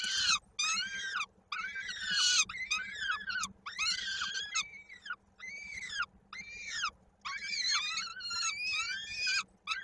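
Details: Peregrine falcon chick at a nest in Koszalin, Poland, on 16 May 2022, calling during a feeding while its foot is stuck in a beak. Harsh, arched, wailing notes come in rapid bursts with short silent gaps.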